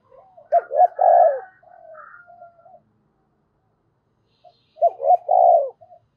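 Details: Decoy spotted dove calling and cooing: two short rising hoots followed by a long, deep, slightly falling coo, trailed by soft murmured notes with a faint higher rasp; the phrase repeats after a pause of about three seconds.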